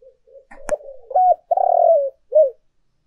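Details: Spotted dove urging and calling coos on a lure recording: a brief click, then a loud, low, hoarse coo phrase with a long rolling middle note and a short final coo.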